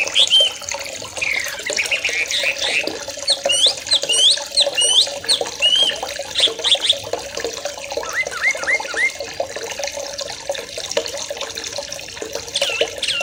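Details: Young wild sooty-headed bulbuls from the forest calling as a flock: dense, overlapping short bubbly whistled phrases and chirps, some rising and falling sweeps, sounding continuously with steady background hiss.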